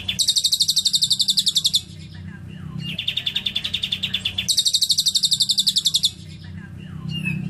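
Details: Lovebird song filled with cililin style, clear and crisp: three long runs of rapid high pulsed trilling, each one to two seconds, separated by short quieter gaps with faint chirps.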